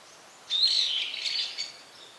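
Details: Single loud, shrill brown-eared bulbul call lasting about a second: a high rising-and-falling whistle running into a harsh, buzzy squeal, in an otherwise quiet setting.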